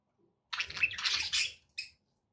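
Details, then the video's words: Pet budgerigar chattering in a long, buzzy, scratchy warble, ending with one short separate chirp. "budgie sounds for pet parakeets to make tham happy"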